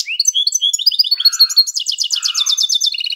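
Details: Canary, called a Russian canary, singing a bright, high, rapid song: sliding whistled notes, then fast rolling trills and buzzy chattering phrases, with a lower rattling note in between.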